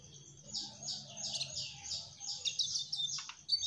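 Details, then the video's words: Mugimaki flycatcher in full trotol-style song: a steady run of high, thin, buzzy twitters in quick succession, ending with a sharp downward chip. "Burung Sikatan MUGIMAKI TROTOL Gacorr"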